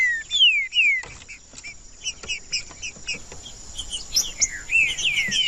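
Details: Green-winged saltator singing: clear whistled notes sliding downward, short bright phrases with quick chips between them, over a constant high insect-like hiss and light background noise.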